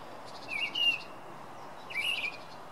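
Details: Song Thrush heard singing at night, two separate short whistled phrases about a second and a half apart, each a quick twisting flourish of slurred notes, with low steady hiss behind.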